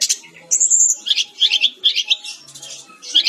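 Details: Brown-chested jungle flycatcher in full, lively song for bird training: a long high trilled note, then dense bursts of rapid, sweet twittering phrases that repeat in quick succession.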